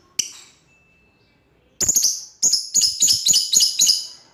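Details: One sharp note from a lovebird calling out to an opponent, a pause, then a run of loud, harsh, high shrieks in quick succession, some paired together.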